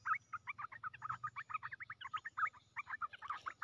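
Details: Red-whiskered bulbul kept in a cage as a lure, chattering steadily with quick, clipped, whistled notes in an unbroken stream, over a low rumbling background hum.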